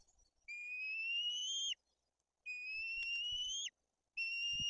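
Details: During fish feeding at a white-tailed eagle nest in Tuchola Forest, Poland, where the older chick is aggressive: three steady, slightly rising whistles of about a second each, ending in a sharp downward drop, with soft thuds between them.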